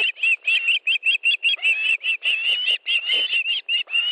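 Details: Osprey nest in Estonia, fish delivery on 1 August 2013 at 14:41: an insistent series of short whistled piping notes, about two per second at first, then merging into longer rising yelps.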